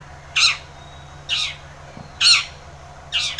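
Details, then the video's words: Long-tailed shrike in vigorous full voice, used as a lure to prompt a quiet shrike to sing: four loud, harsh, rasping notes, each about a quarter second, spaced roughly a second apart, over a faint steady low hum. "Cendet Gacor ××× isian PANCINGAN CENDET MALAS BUNYI / AGAR burung pentet gacor SEKETIKA"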